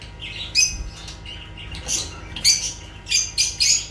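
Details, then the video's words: Lovebirds squawking: harsh, high, buzzy chirps in short bursts, several grouped close together toward the end. "Sounds of lovebirds"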